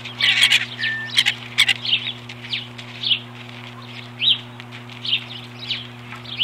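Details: Ospreys defending their nest against an intruder in April 2015 give a series of short, shrill, chirping calls in irregular bursts, with some clicks and knocks and a constant low hum underneath.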